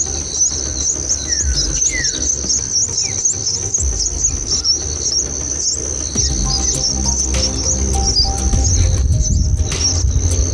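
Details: Bulbul nestlings in the nest, active while their mother feeds them red cherries; quick thin high chirps and twitters repeat rapidly over a steady high-pitched insect-like whine, with a low rumble of background noise underneath.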